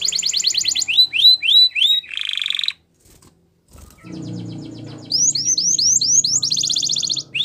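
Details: Belgian canary in training song: a high trill, then falling whistled notes and a buzzy rattle, a pause of about a second, then more rising-falling whistles and another bright trill, over a low background rumble.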